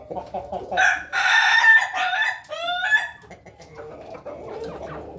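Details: Ayam Ketawa chickens eating as a flock in their coop; a loud harmonic crow of several drawn-out, wavering notes rises and falls over about two seconds, preceded by soft clucking and followed by quieter murmuring clucks.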